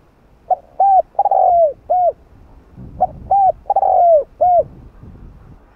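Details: Spotted dove cooing in the 'hạp bổi' voice, played to rouse other doves: two matching low phrases three seconds apart, each a short tremulous note, two rounded coos, a long descending coo and one closing coo, with faint background rumble.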